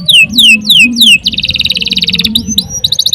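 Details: A canary's extended song for bird tutoring: four clear descending whistled slurs, a steady fast rattling trill, then brief chipped notes, over faint low hum.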